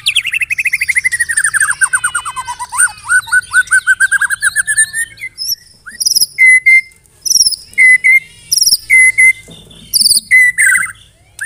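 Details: White-rumped shama song with canary and cililin mimicry: a long descending trill of rapid notes, then short loud high bursts alternating with flat repeated whistled notes.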